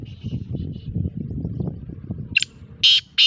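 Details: Black francolin, a Sindhi bird kept for sale, calling with loud, harsh, ringing notes in a quick broken series. Low murmuring human voices and faint higher chirps come before the calls.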